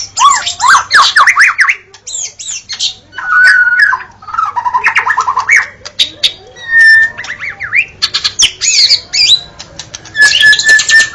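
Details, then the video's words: White-rumped shama from Indonesia in energetic varied song: rich whistled phrases, sweeping slurs and buzzy fast trills, with sustained pure notes interspersed and short pauses between bursts. "jaminan bunyi pkai suara murai batu"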